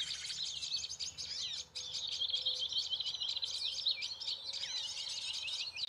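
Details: Prenjak lumut (prinia) lure call played as an MP3 from a phone at low volume near the ground to attract birds into a trap: dense, rapid high twittering of chirps and short trills, continuous for six seconds with a brief pause.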